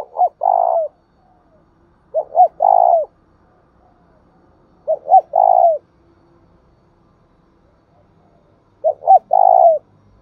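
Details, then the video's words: Spotted dove giving its thúc bổi and gáy gọi cooing song. Four clean phrases come roughly every three seconds, each made of two short soft coos followed by one long, steady, drawn-out coo. The background is quiet. "tiếng cu gáy thúc bổi & Gáy gọi mới nhất, chim gáy vừa dài và đẹp mã hót hay"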